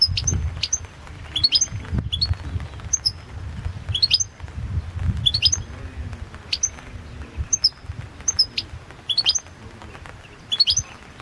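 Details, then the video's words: Balkan goldfinch, Carduelis carduelis balcanica, in a 2022 world championship competition recording: sparse, sharp high tinkling notes in short clusters roughly every second, over a low background rumble. "Pesma štiglića 006/22 World Championship in Goldfinch Song"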